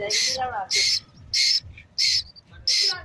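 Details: Young Asian koel giving harsh, screechy squawks, each about a third of a second long, repeated roughly every 0.6 seconds, five in a row; a brief human voice is heard at the start.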